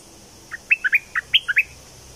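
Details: Bulbul from southern Thailand, played to make birds excited for decoy trapping; one brisk phrase of eight short, warbled notes, alternately higher and lower, delivered in just over one second.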